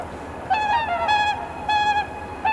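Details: Wild swans at Kotoku-numa pond, Japan, at dawn during the blue hour, caught with a camera's built-in mic: loud, ringing, trumpet-like honks, several in quick succession, each with a bright harmonic edge.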